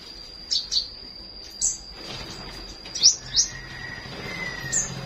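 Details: Morning flowerpecker song of short, piercing high chirps, a few spaced notes then a tight double chirp near the middle, with a steady high hum and a faint low rumble behind.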